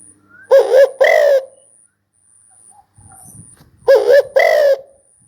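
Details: Spotted dove giving two paired coos, a brief throaty note then a longer resonant one, separated by a pause of about three seconds with faint low rustling between them.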